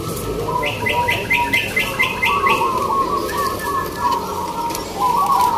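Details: Contest zebra doves (perkutut lokal) singing at Gantangan Singosaren, Yogyakarta: overlapping strings of rolling coos, joined early by a rapid series of about eight higher chirping notes, amid crowd background noise.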